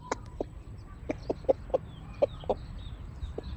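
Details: Backyard chickens giving short low clucks at an irregular pace, about one or two a second, over a steady low background rumble.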